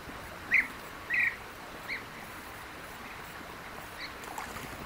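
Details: European bee-eater calls in Palestine's countryside: a few short rolling notes, well spaced, over a steady background hiss.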